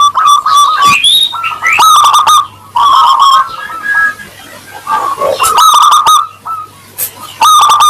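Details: Lively local Zebra dove with a 'crystal voice', played to draw quick answers from other doves: several loud bursts of rapid staccato cooing at irregular intervals, with softer notes in the pauses and a low hum beneath.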